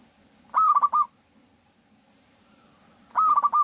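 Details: Local zebra dove singing to lure other doves into calling: two loud bursts of rapid, evenly pitched cooing notes about two and a half seconds apart, with a quiet background between them.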